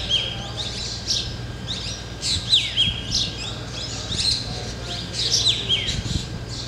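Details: Black drongos in a flock perched in a tree in Ranthambore jungle, Rajasthan: rapid tumbling chirps and clear falling whistled notes, several birds overlapping continuously over a constant low background drone.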